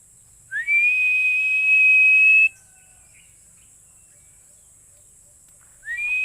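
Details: Philippine eagle giving a loud, high whistle that rises quickly and then holds one steady pitch for about two seconds, followed by silence and the start of another rising whistle at the end; steady high hiss in the background.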